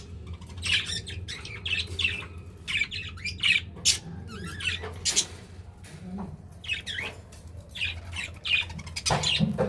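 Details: Several pet budgerigars feeding and showing affection: sparser, broken runs of grating chirps and squawks separated by short pauses, a few clicks, and a faint low background hum.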